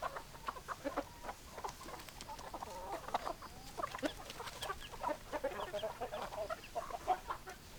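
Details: Several chickens clucking together, a continuous chatter of short, throaty notes rising and falling over a noisy background.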